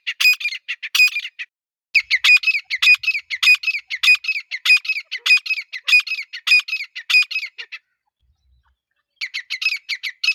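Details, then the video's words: Female grey francolin calling, a recording offered as a partridge hunting sound: harsh, squeaky high notes repeated about three times a second for nearly eight seconds, a short silence, then the series resumes. No other sounds. "Dakhni teetar Irani teetar Teetar ki awaz Teetar sound"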